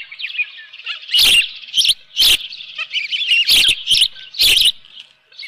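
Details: Osprey at its nest at Dunrovin Ranch, 24 June 2018, early morning with a live fish; thin, steady high chittering throughout, punctuated by several sharp broadband bangs.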